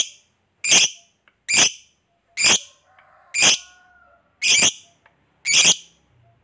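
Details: Hobbyist's fighter lovebird sounding off to trigger replies from other lovebirds: a run of seven raspy, piercing screeches spaced about a second apart, with soft low warbling notes heard faintly in one pause.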